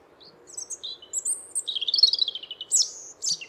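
A European Robin sings a high, thin, tinkling phrase of varied notes and quick descending trills, with a faint low hum behind it.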